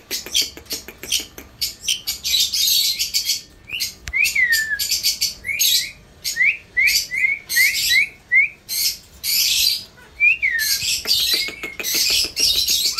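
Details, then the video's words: Indian ringneck parrot giving harsh screeching bursts and a run of short, curved whistles repeated about every half second, with brief gaps of silence. "Funny parrot video 📸📸📸 ||India ringneck parrot 🦜🦜🦜"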